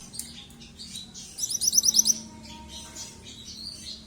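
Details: Young yellow-coloured mantenan calling continuously: one quick burst of about six high, sharp chirps around the middle, with scattered softer twitters before and after over low background hum.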